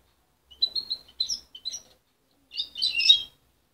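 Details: Juvenile goldfinch hybrid, mother-reared and taken from her at 23 days, singing short high twittered phrases separated by brief gaps, ending in a louder, busier tangle of rapid notes; its song is still unformed but promising.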